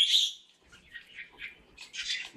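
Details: Caged red-whiskered bulbul gives a short burst: one bright high note, then a few soft warbled chirps, ending in a louder rough flurry of high notes.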